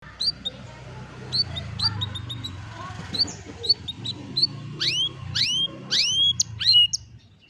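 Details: Canary song recorded on a cellphone: sharp rising whistled sweeps and short high chirps in quick bursts over a steady low background hum.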